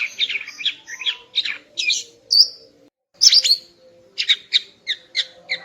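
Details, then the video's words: Greater green leafbird female singing in the morning to excite a male: rapid scratchy twittering phrases, a pure whistle, a brief pause, then a quick series of short chirps, over a soft hum. "Kicau Burung Cucak Ijo Betina Pagi Hari untuk Naikkan Birahi Cucak Ijo Jantan"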